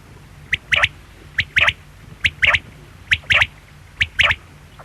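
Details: Quail repeating a sharp three-note phrase, one brief note then a quick pair, about once every 0.9 seconds, five times in a row with a faint low hum beneath.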